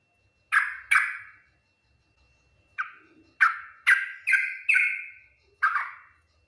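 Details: Yellow-vented bulbul song in the full 'ngriwik nguplik tuklik-tuklik' style, said to quickly draw replies from other bulbuls: loud, bubbly, slurred notes in short bursts, two at first, then a close run of five, in quiet surroundings.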